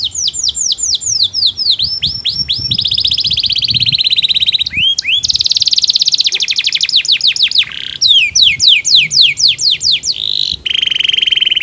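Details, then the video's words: Canary singing sweetly, loud continuous song of rapid downslurred whistles, steady buzzy trills and fast rattling rolls, changing phrase every second or two, with faint low background hum. "Suara burung kenari bernyanyi merdu yang lain awas ikut bernyanyi"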